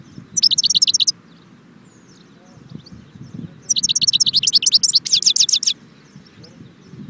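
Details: European goldfinch song recorded at Jbel Wahch near Constantine, two fast runs of sharp, high, chattering notes separated by a quiet pause, with faint low rumbling underneath.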